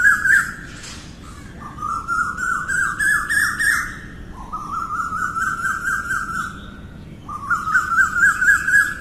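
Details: An Asian koel's morning call: loud, fast series of ringing notes, each series climbing in pitch and lasting two to three seconds, with faint background birds.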